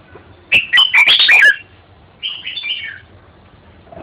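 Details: Red-whiskered bulbul with a loud, rich phrase of rapid, liquid warbled whistles, then a softer falling whistled phrase after a short gap.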